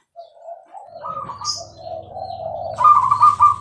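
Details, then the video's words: Bangkok-type perkutut, a zebra dove, singing actively with a clear voice: low soft coos wander up and down, then a louder, higher rolling phrase closes the passage over a faint low hum. "perkutut gacor suara jernih"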